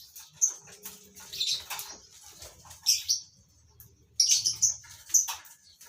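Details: Lovebirds kept as a breeding colony give piercing high chirps in clustered bursts, with a soft low hum beneath.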